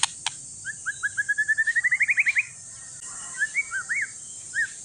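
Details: White-rumped shama from an Aceh forest line, one year old, singing as a prompt for reluctant shamas: a fast run of short notes climbing in pitch and volume, then scattered loud whistled upslurs and swoops.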